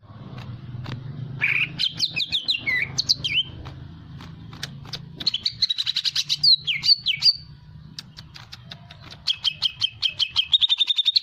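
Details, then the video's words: Hyperactive greater green leafbird singing, used to provoke other birds into song: varied, loud whistled phrases with sweeping slurs and rapid chattering trills, ending in a fast run of repeated high notes over a low hum. "Pancingan Cucak ijo hiper aktif"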